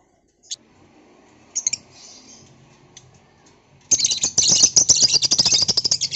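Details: Noisy lovebird in the afternoon: a few isolated sharp chirps, then from the middle onward a loud, dense run of shrill, scratchy high-pitched chattering notes in rapid succession to the end.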